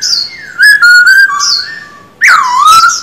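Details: Silver-eared laughingthrush, a male cage bird, singing in a vocal training session: a long falling whistle, a loud bright held whistle, and a strong swooping phrase that dips and rises.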